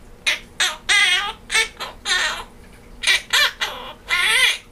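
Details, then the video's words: Captive male Quaker parrot singing Jingle Bells with laughter mixed in, a tune recalled from last year: eight or nine rasping, speech-like harmonic syllables of varying length, irregularly spaced, loud and shrill in a small room. "Quaker Parrot singing Jingle Bells"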